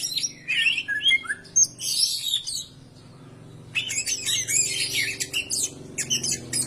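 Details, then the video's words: Greater green leafbird singing, used to prompt other birds into song. Dense bursts of sharp, high chirps and whistled notes come fast, then pause for about a second of near silence before another lively burst. "PANCINGAN SUARA BURUNG CAK IJO BAHAN AGAR CEPAT GACOR"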